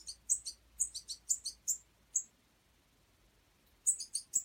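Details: European goldfinch fledgling in wild bird aid care, begging with a quick series of shrill, high squeaks, a silent pause of over a second, then another burst of rapid piercing chirps.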